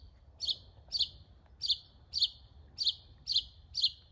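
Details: Mockingbird singing a steady series of sharp, high chirps, one roughly every half second, seven in all, above a faint low hum.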